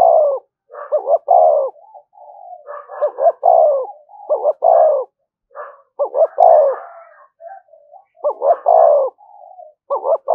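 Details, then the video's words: Lure recording of a spotted dove in "thúc gù" style: about five cooing phrases, each a cluster of brief stuttered notes closing on a rich, falling coo. Softer murmured notes fill the pauses. "tiếng cu gáy/ cu gáy thúc gù bài bản dùng kích bổi hiệu quả"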